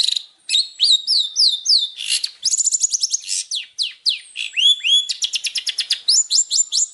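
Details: Champion Long-tailed shrike master song for training: loud, fast, varied phrases of descending whistled slurs, buzzy notes and quick rising chirps, ending in a rapid clicking trill.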